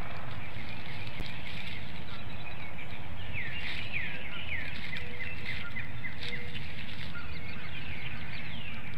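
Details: Female bald eagle at a webcam nest in Hanover, Pennsylvania, early morning of 4 April 2019, calling her mate to come relieve her at the nest; a rapid series of sharp, falling piping notes over constant rushing noise.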